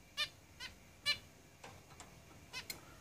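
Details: Caged zebra finches calling rapidly: nasal honking notes in quick succession, five or six within three seconds, with a few fainter notes between them.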